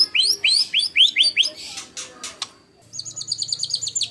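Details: White-rumped shama master song for training contest birds, 'tembakan kasar' style: a run of quick rising upslurs, some clicks and rasps, then a fast high chattering series over a low background hum.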